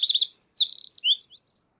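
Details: Eurasian wren song, Audierne Bay, Finistère, Brittany, France, late April–early May 2022: a fast burst of high, sharp notes and a rapid trill, loud and tumbling, in under two seconds; nothing else heard.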